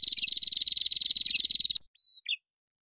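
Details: A male and female prinia call back and forth as a lure: a long, rapid, evenly pulsed buzzing trill, then a short high whistle with a falling chip.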